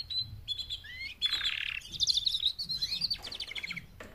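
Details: Four female canaries giving mating calls meant to motivate males to sing louder: high chirps and sweeping whistles, then a dense buzzy burst and fast rattling trills that run through the second half.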